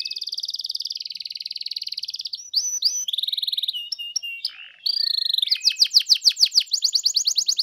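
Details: Canary song played to make a canary sing back: a long steady buzzy trill, varied chips and slurred notes, then a loud rhythmic trill of rising sweeps.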